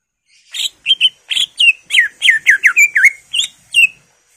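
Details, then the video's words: Greater green leafbird in lively 'gacor' full-fill ('full isian') song, used as a 'pancingan' lure: a fast run of clear whistled notes, many sliding downward, with short chirps, about a dozen phrases in quick succession. "PANCINGAN CUCAK IJO GACOR FULL ISIAN/ CUCAK IJO Gacor"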